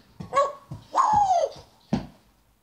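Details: Pet African grey parrot telling the dog, Coco, to get out of the living room: three human-like bursts, a short syllable, a longer drawn-out word falling in pitch, then a clipped sharp note.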